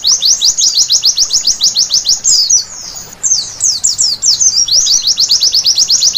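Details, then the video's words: A white-eye sings at night in rapid bursts of high, piercing downslurred chirps, with a scratchy jumbled twitter in the middle before the quick chirping resumes. "Terapi Pleci Malam Hari Bikin Gacor seketika!!!"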